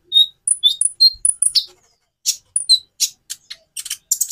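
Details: Song variation of a kolibri ninja (Van Hasselt's sunbird), played to spur other birds to sing: rapid run of high, thin whistled notes and squeaky chips, then a short pause before a second burst of shrill, scratchy trills.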